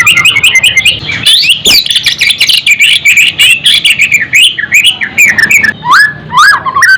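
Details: White-rumped shama song played to raise fighting spirit and emotion: dense, continuous, varied whistled phrases with quick rising and falling notes, partly overlapping, loud throughout.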